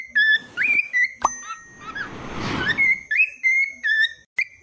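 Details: Cockatiel song: clear whistled notes, several bending upward, repeated in quick phrases, interrupted midway by a loud rushing burst of noise, then more whistled phrases.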